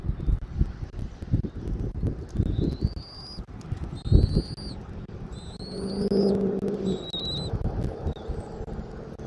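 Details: Bald eagle recorded by a Southwest Florida eagle camera, 13 January 2024, early afternoon: a series of high, thin, slightly rising whistles through the middle section, with low wind rumble and a passing engine-like drone.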